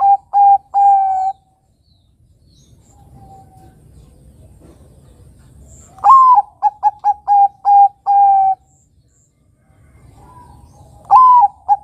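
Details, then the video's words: Zebra dove (perkutut, Geopelia striata), a young Bangkok-type bird, gives its soft, mellow cooing song: a rising note, then a quick run of clipped coos ending in a longer trill, repeated after a pause. "Suara Burung Kutut Perkutut Bangkok Gacor"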